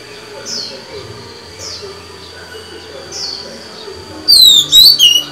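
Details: Female white-rumped shama singing to stimulate males: soft, high chirps recur about every second and a half, then a loud, rapid burst of clear, swooping whistled notes near the end, over a faint low murmur.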